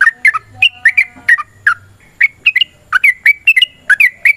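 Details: Long fighting song of a sooty-headed bulbul, meant to prompt other bulbuls to sing back: quick bright chirps, some rising and some dropping, tumbling in steady pairs and triplets over a faint low rumble.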